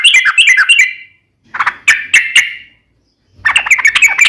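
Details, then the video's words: Sooty-headed bulbul chattering in gacor style as a lure to make another bulbul respond: three short bursts of rich, bubbly notes separated by silent gaps of about a second. "SUARA trucukan gacor ropel panjang PANCINGAN TRUCUKAN agar bunyi JADIKAN burung trucuk gacor NYAUT"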